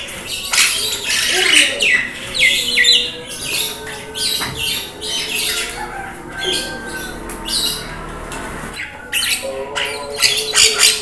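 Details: Javan myna (jalak kebo) on a masteran tutor recording with rain sound, meant to bring caged birds quickly into full song and talking; harsh broadband squawks and rasping bursts come in quick runs, mixed with a few short tonal whistles.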